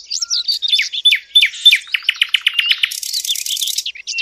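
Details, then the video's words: Sylvia warblers, recorded as a lure for bird hunting: rapid, high, thin chirps and short whistled notes tumble over one another, with quick buzzy bursts, a stretch of dense ticking near the end, and no other sounds. "صيد وصوت طيور الدخل Sylvia sound"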